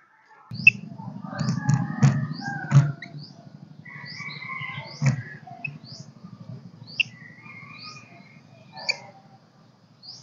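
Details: Golden-crested myna singing in kích bổi style: sharp clicks and short high whistled notes scattered through the clip, with warbled mid-pitched phrases, over a steady low buzzing hum.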